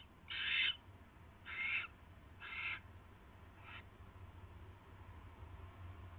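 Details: Barn owl at the nest late on 22 January 2016 while a mouse is brought; three loud, scratchy screeching hisses about a second apart, then a fainter fourth, followed by quiet hum.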